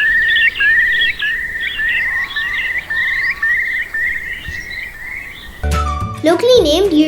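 Eurasian Curlew giving fluty whistled notes at one steady pitch, about four a second with little upward lifts; music cuts in at the end.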